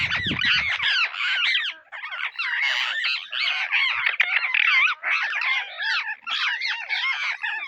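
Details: While searching for seeds, Indian ringneck parrots keep up a dense, continuous chorus of overlapping shrill, wavering squawks with almost no pause. A brief low rumble comes at the start.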